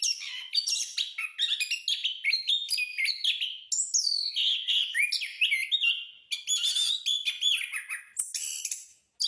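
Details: Caged orange-headed thrush singing in a lively, practised rolling style, a fast, varied string of clear whistled and chattering phrases that jump between high and mid pitches with brief gaps.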